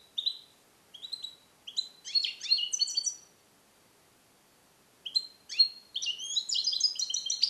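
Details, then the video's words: European goldfinch, captive-bred in 2021 and taught a Neapolitan song passage, singing alone in a small cage; short chirp notes lead into rapid liquid twittering phrases, a pause, then another dense bright run. "Cardellino Passata Napoletana 2021 - KH24 - European Goldfinch - Jilguero cate limpio"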